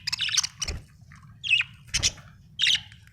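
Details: Budgerigar chatter with about five scratchy, squeaky chirps spaced roughly half a second apart, some with a soft thud beneath, against a low constant hum.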